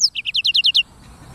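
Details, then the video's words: Brief phrase from a black-throated canary (sanger) in full song: one high note followed by seven quick, downslurred chirps at a steady rate, the series ending abruptly within a second. "BURUNG FINCH EDEL SANGER / BLACKTHROAT Suara Gacor Materi 100% Jernih"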